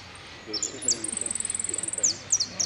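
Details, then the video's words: Jilguero, the saffron finch, in "El Cristalino" song style featuring prio, golpe and pitadas: a few high, sharp slurred notes lead into a fast, even run of thin piping notes, then ends with brisk downslurred chips; low murmur behind. "JILGUERO AUDIO"EL CRISTALINO" ( prio,golpe y pitadas)"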